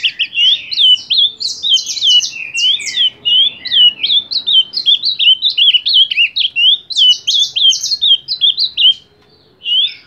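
An ultramarine grosbeak sings a loud, fast, nearly unbroken warble of sweet, rising and falling whistled notes for about nine seconds, then a brief pause. No other sounds are heard.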